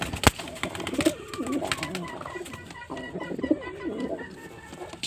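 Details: A male white pigeon cooing twice in soft, bubbling, low phrases, separated by a couple of seconds, with a sharp click near the start and steady background hiss.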